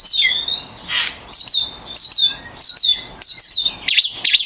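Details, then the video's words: Kacer, the oriental magpie-robin, singing loudly as a training model for songbirds: a long whistle, then crisp downward-slurred notes repeated about every half second. "Suara burung kacer gacor juara untuk melatih mental kacer Anda"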